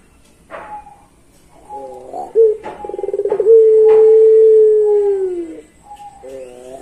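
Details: Long pelung-style song of a Barbary dove: soft lead-in notes, then a rapid pulsing roll flowing into one very long, even, low coo that falls away, with a few faint clicks around it.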